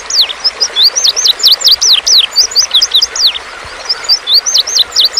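Indigo bunting song: a dense run of high, sharp, down-slurred chirps, often in quick pairs and overlapping, with a faint background hiss.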